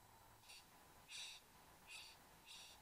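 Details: Satin bowerbird pair, male and female, in the bower, Australia, morning of 15 November 2014, bower camera: four short, high, hissing buzzes, each under half a second, spaced evenly over a steady low background hum.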